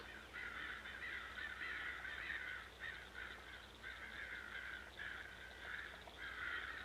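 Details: Crows' alarm calls rallying blackbirds and other birds to chase and attack a hawk until it is driven off; raucous, drawn-out caws blurring into near-continuous bursts over steady background hiss.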